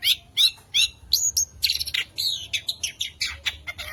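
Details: Prize-winning long-tailed shrike with a varied song that calls rivals to fight and prompts silent shrikes to sing: slurred rising whistles, then a rapid run of scratchy, buzzy chirps.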